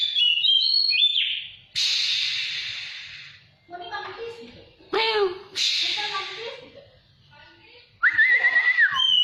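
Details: Oriental magpie-robin sunning outdoors sings a varied phrase of high whistles, quick descending slurred notes and scratchy bursts. A long rising whistle closes the phrase.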